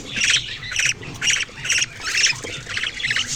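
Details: Budgerigar chirping heard as harsh, buzzy squawks repeated about twice a second in short bursts, with faint low background rumble.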